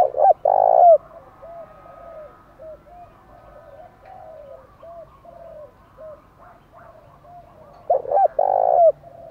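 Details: Spotted dove song meant to agitate and lure wild doves into fighting: loud two-part coos open and close the phrase, with softer, quicker repeated coos from more doves between them.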